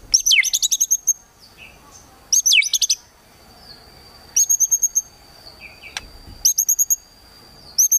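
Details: Murai batu (white-rumped shama) firing 'kretekan tembakan' bursts to stir a rival: tight clusters of very high, crackling repeated notes in short volleys every couple of seconds, with a faint thin whistle between them.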